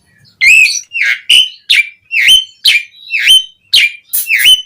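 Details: Asian pied starling song for coaxing captive birds to sing, a series of loud, bright whistled notes each swooping down then up, given roughly every half second with slight variation.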